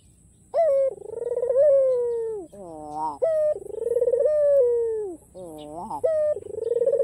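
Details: Kalimantan white ringneck dove, black-collared, calling so rivals answer: repeated rolling coos roughly every two and a half seconds, each a steady tone that throbs and slides downward, separated by brief clusters of falling notes.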